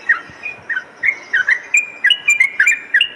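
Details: Sooty-headed bulbul singing actively, a lure and tutor recording for morning and night: short liquid whistled notes, some rising and some falling, given in a quick, uneven series with brief gaps.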